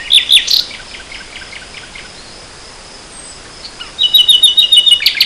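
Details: Nightingale recorded in spring 2014: a few loud, sharp notes open, a quiet stretch follows, then a fast, even trill of high repeated notes.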